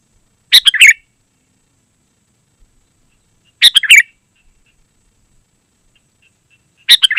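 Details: Sooty-headed bulbul song for luring wild birds and tutoring caged birds: short bubbly whistled phrases, each under half a second, repeated about every three seconds with silence between.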